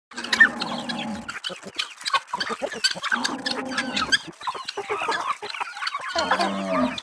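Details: Chickens in a rural farmyard flock in the Brazilian countryside, with overlapping clucks and cackles in bursts, low harmonic calls near the start, middle and end, and busy chatter throughout.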